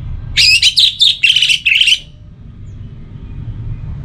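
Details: Orange-headed thrush giving a pacingan-style song: a rapid string of about six harsh, buzzy chirped phrases packed into under two seconds, then quiet with a low background rumble.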